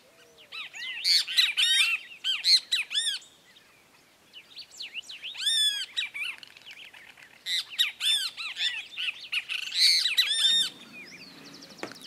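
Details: Red-crested cardinal in Esperanza, Santa Fe, Argentina, 2022, filmed while feeding on fruits and seeds, gives bursts of quick, slurred, arching notes in four clustered phrases separated by short pauses, with faint background noise near the end.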